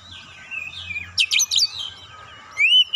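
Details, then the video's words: Oriental magpie-robin song used as a lure to get birds singing: quiet wavering whistles, then a burst of loud harsh chattering notes, ending in a clear rising whistle, with a low hum in the background. "PANCINGAN Kacer langsung naik emosi ngotot bongkar isian"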